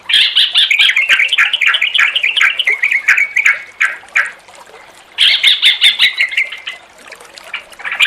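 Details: Yellow-vented bulbul song, played to coax a caged bird that has stopped singing into singing. Bursts of bubbly, chattering warbled notes run for about five seconds, then a pause, then another lively burst with rapid repeated phrases.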